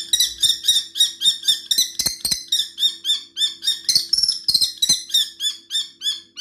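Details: Kestrel calling at an eagle to drive it off: rapid, shrill, strident repeated notes, roughly three or four per second, with a few sharp clicks and knocks in between.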